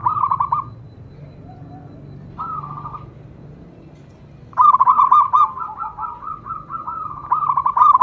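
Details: Local zebra dove giving a short burst of clipped coos, a quieter phrase, then a sustained run of bubbling, rolling coo notes toward the end over faint background hum.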